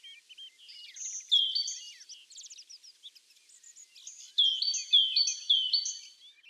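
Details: Tit singing repeated high, bright phrases, first a short burst, then after scattered chirps a run of four clear phrases, set against faint twittering.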